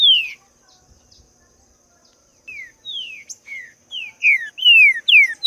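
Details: Green-winged saltator singing in the wild: one clear descending whistled note, a two-second pause, then a quickening run of loud, slurred downward whistles. A steady high thin tone runs throughout.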